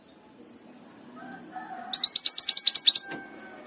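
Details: Mountain tailorbird in full song: a quick burst of about a dozen bright, high, down-slurred notes after a quiet stretch with faint low background sounds.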